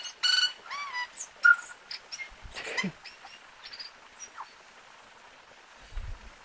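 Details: Tui singing a varied phrase: ringing harmonic notes, short rising and falling whistles, clicks and a sharp high note, then softer scattered notes and a low rumble near the end.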